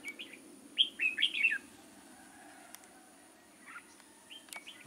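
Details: Red-whiskered bulbul kept as a decoy bird for trapping, recorded 6 October 2018: a quick burst of bright, slurred whistled notes rising and falling over about a second, then a few faint, scattered notes under a steady high hiss.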